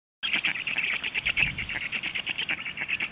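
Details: Hungry stork chicks begging, a rapid stream of harsh, high rasping pulses that run continuously with short rhythmic swells in loudness.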